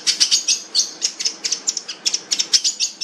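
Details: Long-tailed shrike (cendet) giving rapid, scratchy high chips at about four per second in an uneven rhythm, with a soft hiss of background noise.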